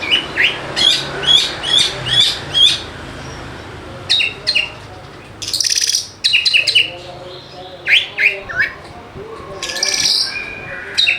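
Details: Oriental magpie-robin (kacer) lure song to get lazy birds singing: a quick repeated chirping phrase at the start, then pauses, harsh buzzy bursts and varied whistled notes, with faint lower tones behind.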